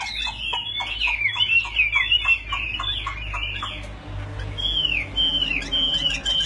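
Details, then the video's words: Chinese hwamei in a fighting display, fanning and raising its wings: rapid high whistled phrases mixed with quick chips, a short pause, then long clear downslurred whistles. "Đấu xoè hết bản chơi cánh cao Chim đấu tốt"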